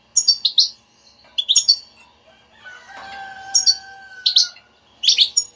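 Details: European goldfinch twitter for getting a silent goldfinch to sing: clusters of sharp high chirps, interrupted midway by a drawn-out lower whistled tone, then more chirp bursts.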